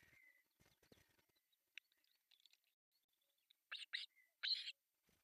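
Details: On July 1, 2024, three young ospreys in a Pohjois Satakunta, Finland nest beg while fed breakfast; a drawn whistle and rustling open, followed by two short shrill squeals and a longer harsh one.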